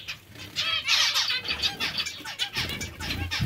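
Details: Zebra finches feeding on vegetables: a short spell of loud, twangy, buzzy calls that peaks near the first second, followed by quieter chatter and low rumbling noise.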